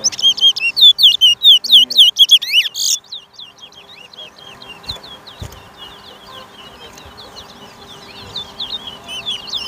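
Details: Seed finch known as towa towa in a Lamaha Street, Georgetown, Guyana singing race, 2023: fast series of loud downslurred whistles closing with a buzzy burst, followed by faint distant twittering and low chatter from onlookers.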